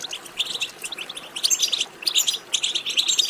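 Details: Rapid high-pitched European goldfinch chatter, played to stimulate goldfinches to sing, with tinkling, jangling notes in quick runs and short gaps at about one and a half and two and a half seconds.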